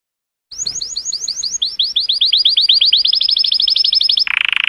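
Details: Colorful canary song sung to stimulate females, a long rolling series of rapid repeated downslurred notes growing louder, ending in a buzzy trill.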